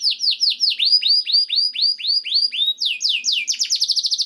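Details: Canary song meant to coax canaries into singing: a steady series of clear, downward-sweeping whistled notes about two per second, then a quicker, higher trill to close.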